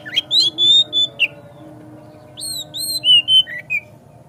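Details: Oriental magpie-robin, known locally as kacer, in lure song meant to trigger singing and tail-opening: pure sustained whistles, a pause, then bright slurred whistled phrases dropping in pitch, with faint low hum.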